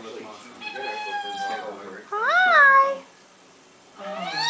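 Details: A female pet Eclectus parrot chatters to herself in three bursts of tonal, speech-like sounds, some swooping up and down and some almost like a meow, in a quiet room.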